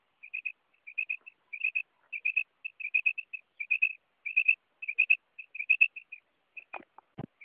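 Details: Female quail call used for hunting: short, clear, whistled notes in quick clusters of two or three, repeated irregularly on a steady pitch, ending with a couple of sharp clicks and thumps.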